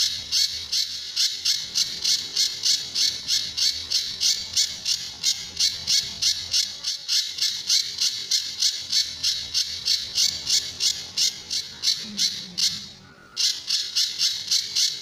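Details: Sunda bush warbler in the tembakan and besetan style, a master recording for training other birds: a long, steady stream of harsh, buzzy high bursts, about three per second, briefly broken near the end before resuming.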